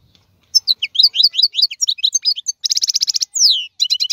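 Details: Wild European goldfinch (maqnin) of the 2022 season. It gives lively tinkling twitters, then a sustained buzzy rattle, a descending slurred whistle and a final burst of rapid chirps.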